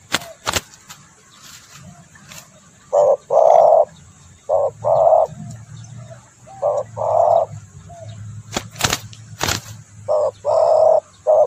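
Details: Spotted dove calling to lure birds, with short-long coo pairs in bursts, broken by loud clicks and handling knocks and a low background hum.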